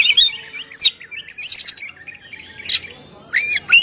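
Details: Kacer, the oriental magpie-robin, in a ngeplong-style song used for luring birds. High warbled whistles run into a buzzy trill, then a pause, then sharp harsh notes and a final rising whistle.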